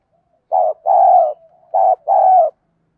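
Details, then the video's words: Spotted dove in the 'giọng đồng' voice style, a calling coo used to train decoy birds: two paired low, mellow coo phrases, each a short note then a longer, slightly falling one, with a faint soft note between. "cu gáy giọng đồng. thúc gù, tiếng gáy gọi"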